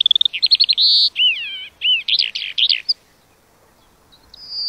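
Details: Lark opening with rapid ticking notes, then buzzy and wavering whistled phrases, falling silent for over a second before a faint high whistle resumes.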